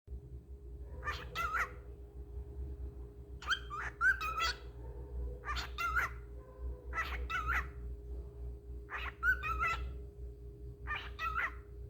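A cockatiel repeats a short scratchy phrase, "what you doing," over and over above a steady low hum.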